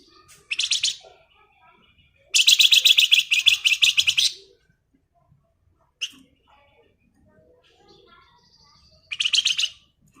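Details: Flamboyan bird in full, lively 'ngebren' song style: dense buzzy rattling bursts, the longest nearly two seconds, separated by quiet gaps, with a short high note between them.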